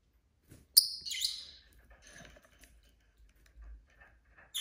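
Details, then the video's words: Pet lovebird indoors giving a sharp squeak followed by a short scratchy chirp, then faint clicks and quiet rustling, with another shrill note starting right at the end. "Lovebird Craziness (singing & chirping & fighting sounds)"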